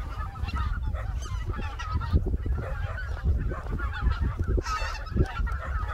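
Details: A flock of greater white-fronted geese wintering on the Cheorwon Plain, Korea, gives a steady chorus of overlapping nasal honks and yelps, with a low rumble of wind or distant traffic underneath.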